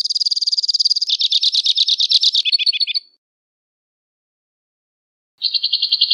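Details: Two-barred crossbill delivering a fast high trill that switches into a coarser rattling phrase and drops slightly in pitch before stopping; after a pause of over two seconds a new even trill begins.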